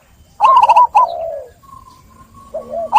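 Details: Zebra dove singing: a quick burst of bubbly, stuttering coos followed by a longer falling purr, then a faint drawn-out hum and a fresh phrase starting at the end.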